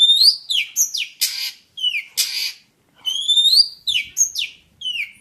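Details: Jentet bird singing a lively song of clear whistled notes that slide down, with upswept phrases and short harsh bursts, given in rapid groups with brief pauses.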